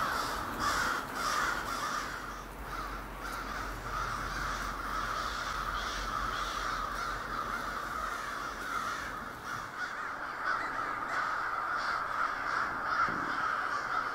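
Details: A huge murder of crows in a backyard park, dense harsh cawing from many birds at once, steady throughout with brief louder bursts and a faint low hum early on.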